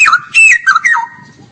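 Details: Straw-headed bulbul singing in the energetic gacor style called ngeropel: a brief burst of rich, slurred whistles swooping down then up, ending in a fading lower note.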